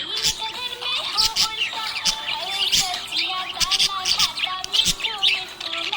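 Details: A happy budgerigar chirps and warbles in quick, high, scratchy twitters, with a tuneful song playing loudly underneath.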